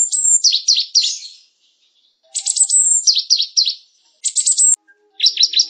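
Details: Java sparrow song, used as tutor song for canaries: phrases of high, thin ringing notes breaking into quick falling chirps, repeated about every two seconds with short pauses.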